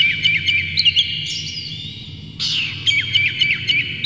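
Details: Oriental magpie-robin (kacer) song, rough and richly filled, played to provoke other magpie-robins to sing; fast chattering notes and short whistles, a lull, then a loud burst of harsh chirps over low background rumble.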